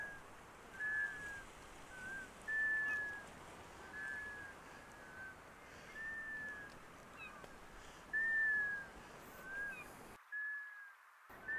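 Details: Black scoters in winter off Marginal Way near Perkins Cove on the southern Maine coast, beyond a group of common eiders, give plaintive, slightly slurred whistles at irregular intervals from several birds over surf and wind.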